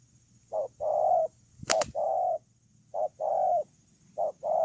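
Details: Spotted dove used as a ground decoy, 8 October 2018: mellow two-note coos, a short hoot and a longer sustained note, repeated several times, with a loud clattering knock in between.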